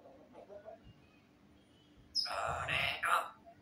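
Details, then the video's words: African grey parrots talking in Hindi: faint low murmurs at first, then a loud, broad speech-like burst of about a second and a half, ending in a sharper, higher syllable. "African Grey Parrots Talking in Hindi"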